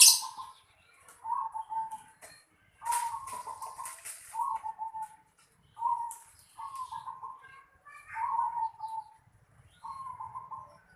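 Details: Zebra dove in the yard of a house giving a series of short, trilled, slightly falling coo phrases, evenly spaced, with scattered high rustling and chirps behind them.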